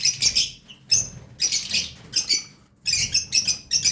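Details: Lovebird chicks giving harsh, raspy, hissing begging calls in short broadband bursts of about half a second, repeated in irregular clusters with brief silent gaps between them.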